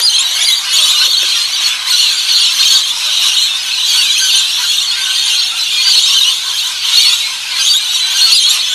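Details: Rainbow lorikeets at a backyard bird feeding keep up a constant harsh, high screeching chatter with no pauses, many shrill voices blending into one loud, grating wall of sound; rainbow lorikeet.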